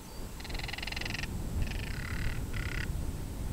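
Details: Crested caracara calling during the breeding season, giving three harsh, grating rattles, each shorter than the last, over a steady low rumble of wind or distant traffic.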